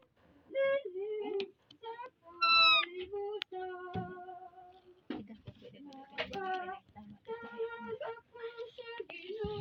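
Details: A parrot singing: a string of clear, tonal, voice-like notes that slide up and down in pitch, grouped into short phrases separated by brief pauses, some notes bright and sustained, others quick and warbled.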